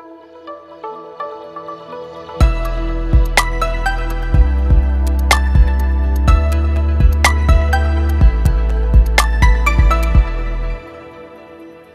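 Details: Gentle instrumental music with a steady deep bass pulse and soft chiming notes; no bird or other animal can be heard.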